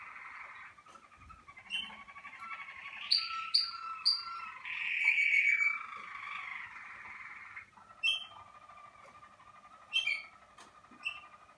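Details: Warming-up Malinois Waterslager canary in its cabin during first outings. Soft rolling trills are punctuated by clusters of sharp rising chirps and a brief, louder bubbling passage midway.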